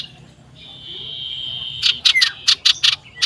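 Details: Common iora singing loudly to seek a rival, 27 December 2022: a long steady high whistle followed by a rapid run of harsh, raspy chattering notes.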